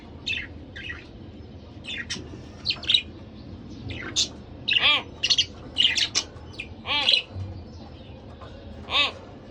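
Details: Pet budgerigar couple calling: sharp high chirps and brief squawks in irregular bursts, some with a rippling, warbled quality, separated by short pauses over faint low hum.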